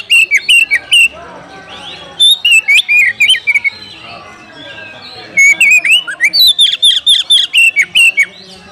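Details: An Oriental magpie-robin calls out to a rival to fight. Quick whistled notes are punctuated by sharp clicks, and short bursts alternate with pauses. A long, fast repeated run of rising and falling whistles closes the clip.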